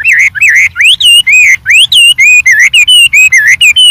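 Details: White-rumped shama singing in the wild with much variation, rapid continuous whistles sweeping up and down, with almost no gaps between notes.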